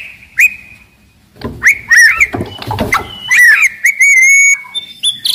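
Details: Caged white-rumped shama, described as aggressive, loud and lively, used as a lure to make other shamas sing and fight; clear whistled notes, some sliding upward, with short sharp calls and a sustained level whistle, plus cage clatter.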